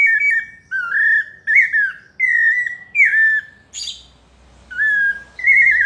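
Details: Pale-breasted thrush singing its melodious paulista-style song: clear, slightly warbled whistled phrases at a mid pitch. Each phrase is short, and a new one follows about every 0.7 seconds. One brief harsh noisy burst falls midway, against a quiet background.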